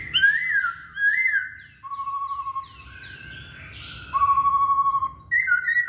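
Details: Masked laughingthrush singing sliding high whistles, then long flat trilled whistles separated by short pauses, with a softer warbled passage between them.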